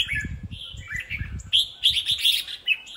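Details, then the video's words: Three caged red-whiskered bulbuls singing competitively in bright, fluty whistled bursts, several phrases overlapping quickly with rising and falling notes; low handling thumps underneath. "chào mào đấu đá quá ok"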